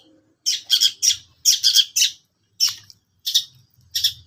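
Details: Long-tailed shrike giving loud, rasping, scolding notes in short clusters with brief gaps, some single and some paired. Faint low hum underneath.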